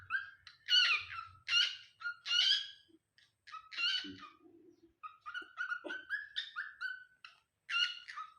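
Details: Possessive pet cockatiel reacting to wild birds with bursts of harsh squawks and quick whistled chirps in irregular runs, a low murmur of a person briefly in the middle.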